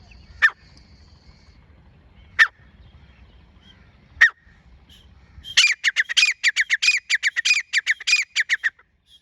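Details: Female grey francolin, teetar, on 24 January 2025: three spaced single sharp notes about two seconds apart, then a fast run of loud, harsh, ringing notes repeated rapidly for about three seconds.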